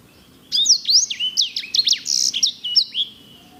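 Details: Edel/herda sanger in active, loud song: a fast tumbling phrase of high bright whistles and sharp downward-and-upward sweeps, almost continuous for three seconds.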